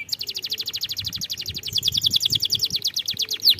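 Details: Young canaries are lured to sing with this canary song: a continuous rapid rolling trill of high, evenly spaced notes, ending in a single sharp whistled note.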